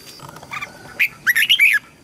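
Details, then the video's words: Red-whiskered bulbul training song for young birds and freshly caught birds: a short cheerful phrase of slurred whistled notes climbing and dropping, preceded by soft quieter notes. "Chào mào luyện giọng giúp má trắng học giọng hiệu quả, kích chim bổi nhanh hót và căng lửa."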